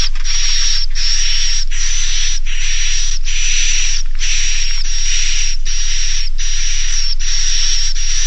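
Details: Edible-nest swiftlet roosting lure, Naga Mas style, played to make young swiftlets roost: evenly spaced harsh buzzy bursts, about eleven in eight seconds, each topped by a thin high whistle.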